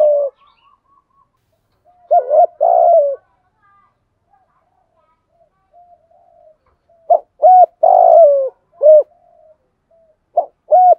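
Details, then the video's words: Spotted dove used as a decoy to provoke and attract wild doves, singing the 'gáy gọi một hậu' pattern: low hooting coos in bursts, a long throaty drawn-out note, then stuttered repeated short coos near the end. "chim cu gáy mồi thúc gù kích bổi hiệu quả/ tiếng chim cu gáy bài bản gáy gọi một hậu"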